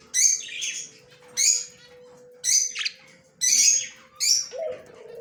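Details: Budgerigar, a yellow male, recorded on October 9, 2024: scratchy, buzzy chirps repeated about every second, five bursts, over a steady faint low tone, ending with a lower brief squawk.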